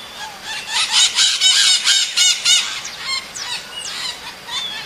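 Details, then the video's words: A maritaca parrot calling to another: a fast run of harsh, grating screeches, about four a second, followed by a few thinner sliding squawks. "CANTO DA MARITACA - SOM DE MARITACA CHAMANDO A OUTRA"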